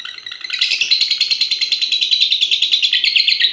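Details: Long-duration singing from a young fighter lovebird, aged six and a half months and caged for contests. A quiet start builds within half a second into a loud, buzzy, rapidly pulsed chatter that holds to the end.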